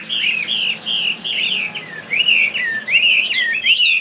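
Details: Chinese hwamei, a fighting bird from Vietnam's Northwest kept caged in Saigon, sings bright, rich whistled phrases in short rising and falling bursts about once a second, loud and steady throughout.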